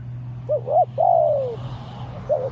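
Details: Spotted dove in a decoy-luring session, a wild bird facing a ground decoy of Malaysian line, calling fiercely: a few short rounded coos, then one long drawn coo sliding downward, and a last short coo, over a steady low hum.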